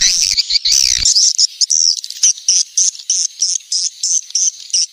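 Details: Swiftlet lure call, played to attract swiftlets during the rainy season: high, bright chirps repeated in quick, slightly uneven succession, with a denser burst of twittering at the start.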